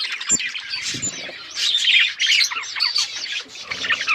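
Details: A flock of budgerigars chirping together: dense, overlapping warbled chatter with quick squeaky notes and short squawks, continuous throughout and pitched high, with a few faint low knocks in the background.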